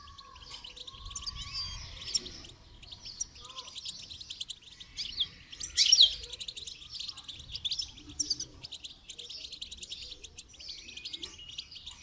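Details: Goldfinch singing during song training, a long run of fast, sparkling twitters and buzzy trills with a loud sharp burst midway, plus a faint lower whistle early on.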